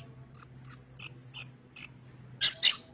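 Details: Long-tailed shrike singing, recorded to prompt other shrikes to sing: a series of sharp, high whistled notes about every third of a second, then a harsh, buzzy double burst at the end.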